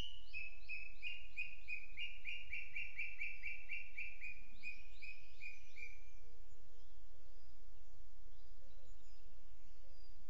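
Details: Booted eagle on a Sierra de Guadarrama National Park webcam, Spain, early morning of 12 June 2022. A long, rapid series of bright whistled notes runs for about six seconds, slightly falling, then fades into quiet outdoor background.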